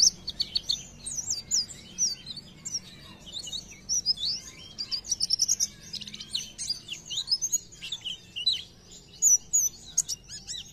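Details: Rapid, high, tumbling twitters and thin slurred whistles from an Oriental white-eye in 'gacor nembak' song, delivered in clustered phrases with short gaps, over faint low background noise.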